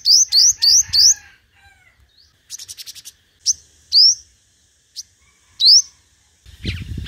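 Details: Competitive lure song of a five-coloured sunbird: a fast burst of four rising whistled notes, a thin buzzy rattle, then scattered sharp upslurs, ending with a low rumbling noise.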